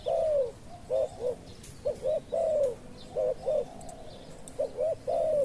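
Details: Low soft coos from a decoy spotted dove calling in wild doves: long falling coo, then repeated pairs of short notes each closing with a drawn-out descending coo. Quiet background with faint bird chirps.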